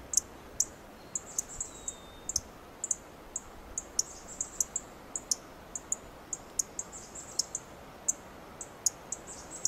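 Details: Dark-eyed junco perched on a twig in a Coast Live Oak, giving sharp, very high ticking chips at an uneven pace, roughly two per second, with a faint thin whistle briefly in the background.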